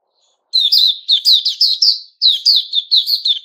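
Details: Sooty-headed bulbul (Puteh Raja), a male recorded 10 July 2021. After half a second of silence it launches into a quick string of ringing, slurred whistled notes, pauses briefly, then continues with another run.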